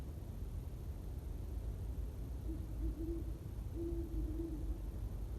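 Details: Probable great horned owl on Staten Island's Greenbelt at sunset on the winter solstice, cold, around 17–20s°F: deep, soft hoots in two short runs about a second apart, nearly buried under a steady low rumble.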